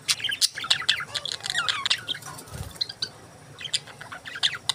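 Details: Several budgerigars warble and chirp together, a lively jumble of quick high twitters and short whistled notes, easing off for a moment before picking up again.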